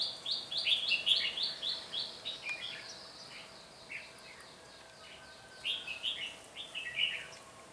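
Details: Red-whiskered bulbul decoy in a heated singing contest to draw wild birds to a trap, cold windy day, 17 February 2020: rapid run of repeated whistled notes, then a pause and further bright phrases, men talking.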